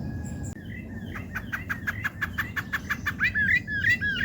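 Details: Rufous-bellied thrush singing at a backyard bird feeder in Brazil: a fast run of identical sharp notes, about five per second, then melodious warbled, rising and falling phrases, with a low rumbling background.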